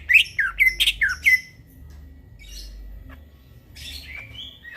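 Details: Greater green leafbird, night song as a training master: a burst of five loud, sharp rising notes in the first second and a half, then quiet with faint, thin whistles.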